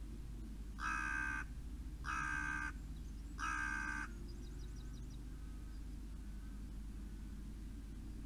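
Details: On a 7 July morning at Poole Harbour, a crow gives three harsh, raspy caws about a second apart, then falls quiet, over a steady low rumble and a few faint ticking notes.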